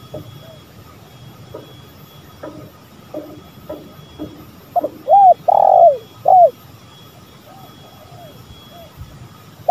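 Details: Spotted dove lure call, male and female: faint, scattered soft notes in the first half, then a loud burst of three or four hoarse, downward-curving coos around the middle, followed by quiet, fading coos.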